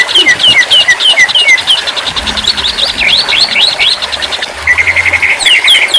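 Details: Song of a white-rumped shama: rapid repeated whistled notes shift into a tumbling run of looping phrases, then a lower stuttering trill, with a steady faint hiss behind.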